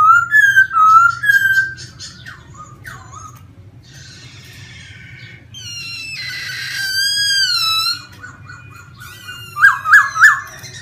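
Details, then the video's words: Wild laughingthrush singing varied whistled phrases: wavering notes, a rasping stretch, a long buzzy harmonic call, then three quick rising whistles at the end, over a low background hum. "CHIM KHƯỚU RỪNG HÓT CỰC HAY"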